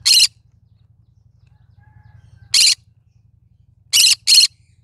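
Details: Green-cheeked conure of the cinnamon variety calling with loud, grating squawks, one at the start, another after a long pause, then a rapid double squawk at the end; soft low hum throughout.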